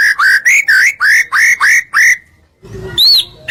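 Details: White-rumped shama song used as masteran to provoke other birds: a string of rising whistles repeated quickly, a short pause, then one arched high whistle over a low hum.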